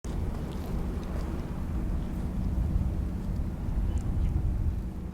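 Continuous low engine rumble with a faint steady hum dominates, and no distinct animal calls stand out.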